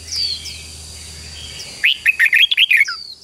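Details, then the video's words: Red-whiskered bulbul singing to train newly caught birds: after soft descending whistles, a rapid one-second phrase of bright, bubbling, up-and-down warbled notes, with a constant thin high tone behind. "luyện cho chào mào bổi hót"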